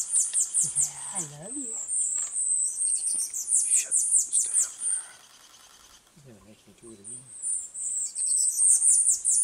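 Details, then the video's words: A tanager finch gives rapid, very high, thin chirps in quick series, pausing briefly midway, while a person speaks softly a couple of times. "Tanager Finch"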